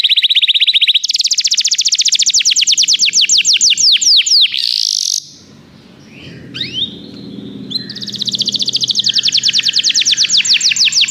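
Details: Canary song used to get a canary singing: a buzzy rolled phrase, a rapid trill of falling notes, a pause with low background noise and a few chirps, then another fast trill.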